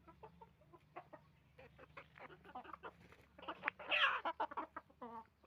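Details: Roosters and hens on a chicken farm, rapid clucking with a louder harsh squawk near the middle and a nasal bleating cluck at the end, faint low hum behind.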